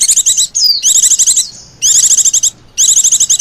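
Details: Busy white-eye lure meant to draw in wild birds. Three bursts of rapid, buzzy, high-pitched chatter, broken by a single drawn-out falling whistle.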